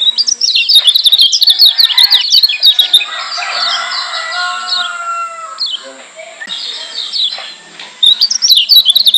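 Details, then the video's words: Lombok white-eye (yellow kecial), a tutor recording meant to provoke other birds, pours out fast, high, twittering chirps in dense bursts, broken midway by a run of smoother sliding whistles, then the rapid twittering returns. "Kecial Kuning Joss NGOTOT Ampuh Bikin Kecial Yg Denger EMOSI KEPANASAN"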